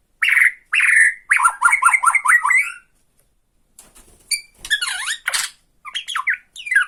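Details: Bornean white-rumped shama in 'tretekan' song, provoking a rival bird: two loud harsh notes, then a rapid rattling series of downslurred whistles, a pause, and scattered squeaky sweeping phrases.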